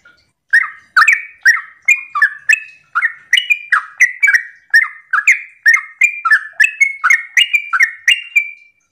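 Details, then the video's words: A long, even stream of around twenty bubbly, rising-falling whistles from a sooty-headed bulbul's morning 'ropel' song, used as a lure so other bulbuls start singing. "Pancingan trucukan gacor ropel pagi hari trucukmu pasti langsung nyaut"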